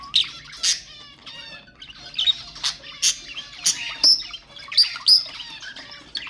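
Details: Budgerigar warbling used to excite other budgies: a busy, fast stream of thin whistled squeaks, clicks and harsh chirps, nearly one accent a second, growing louder and denser toward the end.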